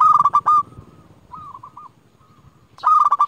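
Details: Local zebra dove, a champion lure bird for calling rivals, opens with a loud rolling coo burst, then a softer run of four coos and another loud burst at the end.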